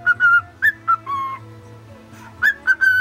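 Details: Male cockatiel whistling the Mickey Mouse March: pure sustained tones broken by quick upward slurs, a short phrase, a pause, then renewed whistles, with a constant low background drone.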